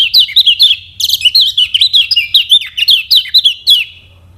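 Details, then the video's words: Lemon-bellied white-eye, the yellow Kecial of Lombok, used as a lure to teach other birds to sing: a fast, continuous chain of bright, high chirps and slurred whistled notes, densely varied, with a low hum beneath. "KECIAL KUNING PANCINGAN UNTUK BURUNG BELAJAR BUNYI DAN MALAS BUNYI"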